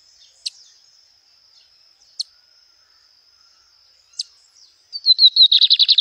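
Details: Lined seedeater in nature, opening a song at the end with a quick run of high notes accelerating into loud, buzzy pulses, after several seconds of isolated sharp clicks over a constant thin high hum.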